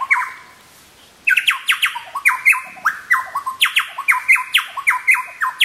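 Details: Chowchillas displaying on a log at Birthday Creek, Paluma, North Queensland: after a brief quiet gap, loud ringing notes that slide downward repeat rapidly in overlapping bursts, several birds calling together.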